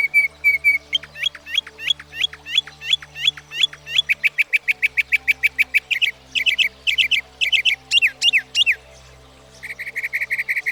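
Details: Northern Mockingbird, a versatile mimic that can learn up to 200 different sounds, pouring out a fast, varied song: long runs of repeated sharp chirps, changing to upslurred whistles, then a rapid buzzy trill at the end.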